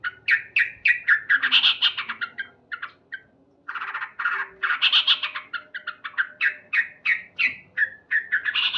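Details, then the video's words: Loud morning singing by a male yellow-vented bulbul, quick chattering notes in lively phrases with a short silent break in the middle. "Terapi Burung Trucuk Gacor"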